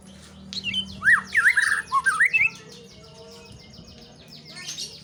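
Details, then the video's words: White-rumped shama giving a short, loud run of swooping whistles and slurred notes, then falling quiet while dense, rapid high-pitched ticking chirps from other birds continue behind. "murai shama bird"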